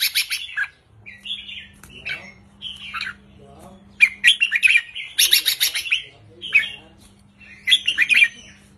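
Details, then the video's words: Short counting-style 3-4-5 song of a caged red-whiskered bulbul: lively, bubbling whistled phrases and loud clusters of rapid notes, repeated in several bursts, with a faint electrical hum in the background. "นกกรงหัวจุกริกมันส์ เพลงสั้นๆ ร้องง่ายๆ สไตล์นับดอก 3-4-5 เปิดยั้วนกฟังนกคึก"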